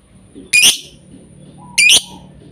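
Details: Lovebird calls used as a lure to make lovebirds sing: two sharp, high, buzzy chirp bursts roughly a second apart, with a faint steady background hum.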